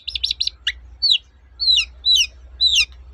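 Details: Long-tailed shrike singing in 'toet-toet' style as a lure for silent shrikes: a quick trill of stacked notes, then slurred downward whistles spaced about half a second apart over a low steady hum.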